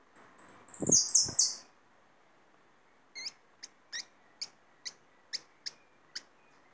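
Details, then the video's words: Captive hooded siskin, a bird trapped for its song, delivering the full "me gusta" song: a fast, very high twittering burst lasting about two seconds, then a run of sharp, evenly spaced chirps, with a few low knocks. "jilguero completo el "me gusta" un pajaro que agarre de canto"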